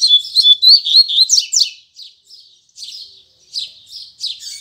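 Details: Morning song of a double-collared seedeater in the 'tui tui zel zel' style: a loud rapid burst of sharp whistled and trilled notes, then softer, spaced buzzy phrases trailing off.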